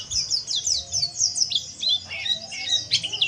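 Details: Oriental white-eye twittering meant to prompt other white-eyes to sing nonstop; quick runs of very high, sharp chirps and slurred notes tumble without pause, with a soft low rumble underneath.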